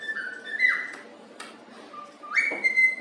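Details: Happy pet cockatiel whistling the tune If You're Happy And You Know It indoors: two clear whistled phrases, each a steady tone that slides upward into a higher sustained note, with a faint knock between them.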